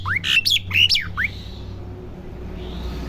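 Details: Home-kept Asian pied starling learning its song: a short cluster of rising whistled and squawky notes in the first second, then quiet room hum.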